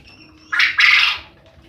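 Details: Male quail calling loudly enough to keep the neighbours awake: two harsh, buzzy, scratchy notes in quick succession, the second longer than the first, over a faint background hiss.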